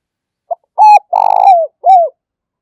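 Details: Spotted dove used as a lure for wild birds, giving one full phrase: a brief pip, two long resonant coos, the second with a slight vibrato, and a final coo sliding downward.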